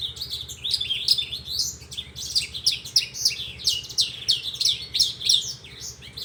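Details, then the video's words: Horsfield's bush lark song: a dense, continuous run of high, varied chirps and quick slurred notes with barely a pause, over a steady low hum. "Kicau Branjangan"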